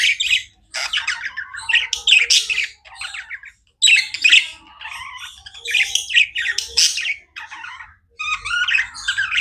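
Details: Budgies chattering continuously in harsh, buzzy squawks mixed with bright chirps, delivered in long bursts with short silences near one, three and eight seconds.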